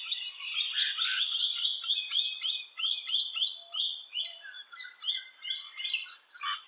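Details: Rainbow lorikeets active around nesting holes in Australia give a dense, continuous run of shrill, screechy chattering notes, rapidly repeated with many overlapping high-pitched squeals.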